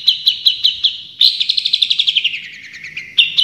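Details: Long-tailed shrike singing in a training recording: a few sharp chirps, then a fast descending run of rattling notes, ending in another burst of bright chirps.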